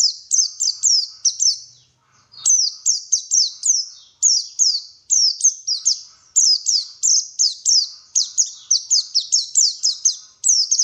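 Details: White-eye, given locally as pleci, singing in a lure recording meant to make birds sing freely: rapid series of high, sharp descending chirps, each sliding downward, repeated in quick bursts with a brief pause near two seconds.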